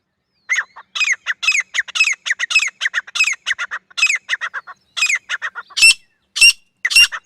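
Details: A long chattering series of harsh, squawking notes from a female grey francolin, ending in three louder, more spaced, ringing calls.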